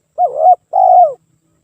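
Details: Spotted dove cooing used as a lure: one phrase of two low notes, the first dipping and rising in a soft warble, the second a longer, steady hooted coo that sags at the end; no other sounds.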